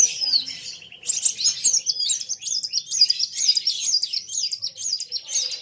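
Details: Sunbird known locally as kolibri wulung singing hard against a rival; after a slurred opening, a rapid chain of high, sharp zigzag notes runs on without pause, with dense overlapping chatter.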